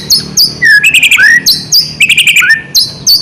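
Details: White-rumped shama singing briskly to prompt other shamas: high sharp notes alternate with lower rising slurred whistles, with the phrases repeating every second or so.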